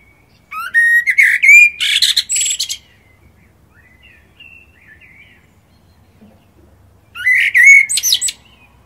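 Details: Common blackbird singing: two phrases, each opening with mellow, fluting whistled notes that rise and waver, then ending in a squeaky, scratchy high twitter, with a quiet pause and faint distant twittering between them.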